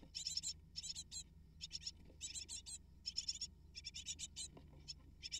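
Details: Great tit parents feeding eight nestlings, which beg with rapid, rasping bursts in short regular groups, separated by brief quiet gaps, over a soft low background drone.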